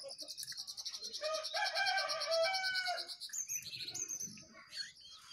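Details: Jongkangan singing in a contest between a wild bird and caged birds: a loud, rich, harmonic whistled phrase held about two seconds, followed by rapid high chips and short whistles.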